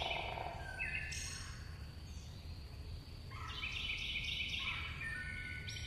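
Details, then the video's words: Singing chickadees give a quick run of clear whistles and buzzy, stacked notes, with several calls overlapping over a steady low rumble. "Singing Chickadees Sound"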